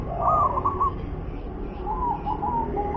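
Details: Local zebra dove with a wer-ke-te-pek song style: two soft, rolling cooing phrases, the first bubbling and the second a higher warbled trill, set against constant low background hum.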